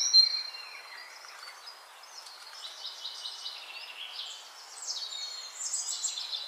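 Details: A black drongo (Dicrurus macrocercus) gives harsh, scratchy high calls: a sharp burst at the start, then irregular raspy, metallic notes over a soft background hiss.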